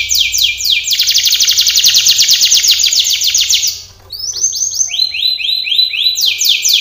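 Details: Canary delivers a training song: a long loud buzzing trill of rapid notes, a short pause, then spaced arched whistles repeated in a lower series before a high trill returns.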